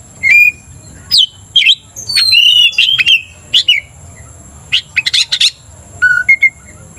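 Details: Oriental magpie-robin singing to goad another magpie-robin into aggression: scattered short whistles and harsh squawky notes with gaps, a brief cluster of sharp chips, then flat plain whistles at the end.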